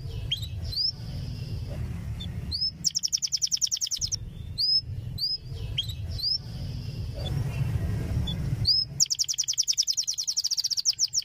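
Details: Canary song for teaching young canaries: sharp rising chirps alternating with fast, high pulsed trills, two long trill bursts, over a steady low background hum.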